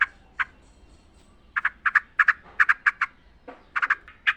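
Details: Sooty-headed bulbul in the wild, recorded to coax caged birds into song. Short, clipped chirps come in quick pairs and clusters after a quiet start, with gaps between bursts.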